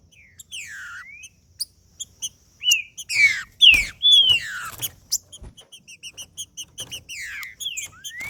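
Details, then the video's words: Macheando song of a male green-winged saltator, played to excite other males: strong whistled notes that dip then rise, loud slurred descending phrases, and steady series of short high chips throughout. "Trinca ferro Macheando com Trinca ferro cantando Para Esquentar Trinca ferro"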